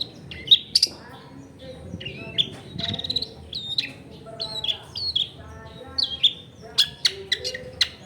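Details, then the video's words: Long-tailed shrike singing actively, recorded at home in a crowded neighbourhood and used as a lure to make other shrikes sing: scattered sharp high notes and short whistled upslurs between pauses, over a low background hum. "SUAR BURUNG CENDET GACOR COCOK BUAT PANCINGAN CENDET BAHAN BIAR IKUT BUNYI"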